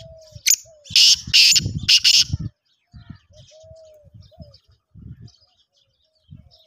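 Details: Black francolin delivering a rapid harsh phrase of three or four loud scratchy bursts, followed by quieter low thumps and soft distant bird notes.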